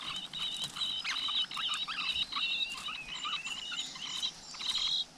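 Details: Flowerpeckers at the nest with chicks in the wild: soft, rapid twittering chirps mixed with short, thin whistled notes, fairly quiet against a faint hiss.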